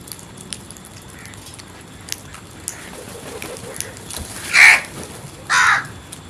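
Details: Crow calling: two harsh caws about one second apart near the end, the second softer, after a quiet stretch with scattered faint clicks and distant chirps.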